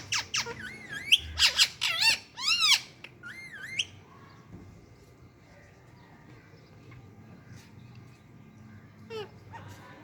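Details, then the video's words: Parrots in the morning: a burst of loud, harsh squawks and rising-falling whistled calls in the first four seconds, then near quiet with a single faint call near the end. "Parrots enjoying in morning time || and talking parrot so cute"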